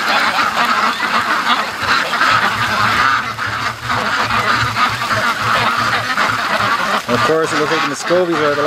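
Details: Free-range ducks, including Muscovies, streaming home from the lake in a large flock; dense overlapping quacks throughout, then near the end several louder, clearly pitched honking calls stand out.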